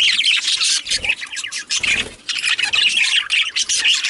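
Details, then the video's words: Male budgerigars chattering, a dense stream of warbled, scratchy chirps and squawks, nearly continuous with brief pauses around one and two seconds. "Male Budgies/Parakeets"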